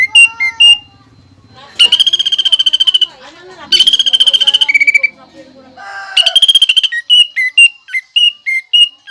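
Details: A greater green leafbird sings with pelatuk bawang mimicry fills. Short whistles lead into two long rapid rattling trills, then a lower slurred phrase and a string of sharp, high whistled notes.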